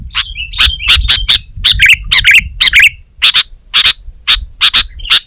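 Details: Sooty-headed bulbul in energetic song: sharp, clicking chip notes repeated about twice a second, broken by short warbled, bubbly phrases, with a low rumble underneath.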